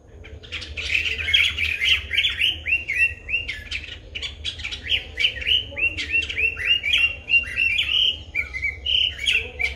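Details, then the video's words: Sri Lankan White-bellied drongo, captured with a Nikon COOLPIX P1000, delivering a long fast run of rising and falling whistled and slurred notes, roughly three per second, bright and loud over a soft low rumble. "White-bellied drongo calls"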